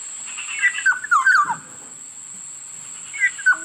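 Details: A Black-naped oriole whistles a fluty slurred phrase, then after a pause of about one and a half seconds begins a second similar phrase, with a steady high electronic whine throughout.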